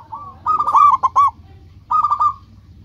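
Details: Zebra dove (local perkutut) giving a soft lead-in coo, then a loud stuttering run of clipped notes and a shorter trilled phrase, over low background rumble.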